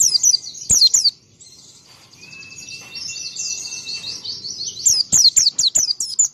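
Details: Oriental white-eye singing to trigger other white-eyes: sharp high chirp bursts, a long rapid thin twittering warble with a faint steady tone, then a final series of crisp repeated chirps.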